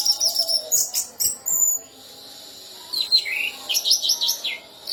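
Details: Champion caged orange-headed thrush with a prized mimicked repertoire delivering a rapid jumble of high chirps and twittering notes, a brief pause, then a quick series of sharp slurred whistles and chips.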